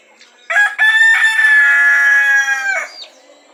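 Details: A mature domestic chicken in a yard at nightfall, as the flock settles to roost in trees, gives one loud, drawn-out crow of about two and a half seconds, harsh and strained, with a stuttering start and a falling finish.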